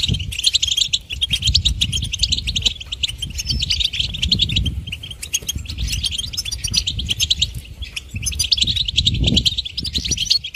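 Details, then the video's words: A melodious goldfinch song of rapid, high twitters and liquid trills rises and falls in loudness over about ten seconds. Dull low thuds sound beneath it. "Goldfinch: A Bird of Beauty and Song"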